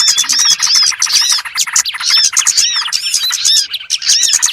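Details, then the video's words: Trapping lure of small birds, a brief burst of high, tightly packed chirps and squeaky arched notes overlapping without pause. "SUARA PIKAT BURUNG BURCIL"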